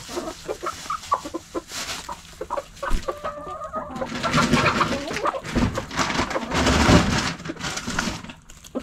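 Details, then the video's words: Hens and roosters in a backyard, pecking and scratching: low clucks and a few drawn-out notes come first. Later, loud rustling and scratching noise takes over with scattered clucks mixed in. "Hens Clucking Roosters Crowing!"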